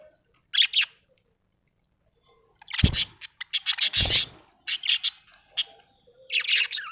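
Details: Budgerigar chirping happily: bursts of buzzy chatter and warbles, with two loud low thumps partway through and a faint tonal hum.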